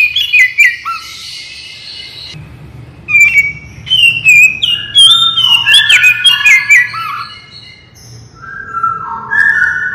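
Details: Lively Oriental magpie-robin song for prompting birds to reply: short whistled notes, a pause, then a quick tumbling run of clear slurred whistles, ending with several longer, lower sustained whistles.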